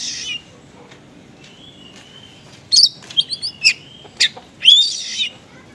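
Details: Konslet-style oriental magpie-robin song with small-bird material, used to draw a response from less responsive birds: a quiet start with faint notes, then a quick run of high, sharp, squeaky phrases and a rasping burst.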